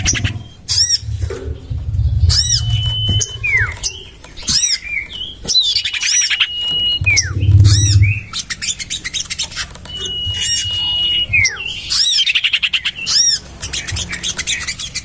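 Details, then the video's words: Common iora lure sound, tested in a garden beside a house: several sustained level whistles, each falling away at the end, mixed with loud arched chip notes, buzzy trills and low rumbling background. "Suara pikat burung sirtu cipoh terampuh sepanjang masa"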